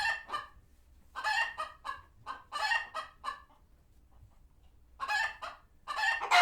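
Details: Farm sanctuary chickens, alerted by a hawk nearby and retreating to their coops, utter clustered raspy clucks in quick bursts, then a near-silent pause before the clucking resumes.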